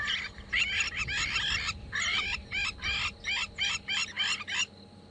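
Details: Crowned lapwing (Vanellus coronatus) at Djuma and Arathusa on an afternoon–evening safari drive, 24 November 2014: about nine harsh, strident notes, roughly two a second, then breaking off; faint low rumble. This call is heard at dusk.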